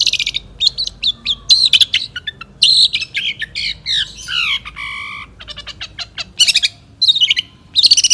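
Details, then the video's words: Long-tailed shrike, a 2016 national champion songbird, delivers a dense run of sharp chirps, descending whistled slurs and harsh rasping bursts in quick succession. "KICAU BURUNG CENDET JAWARA NASIONAL GAYA SATU TITIK 2016"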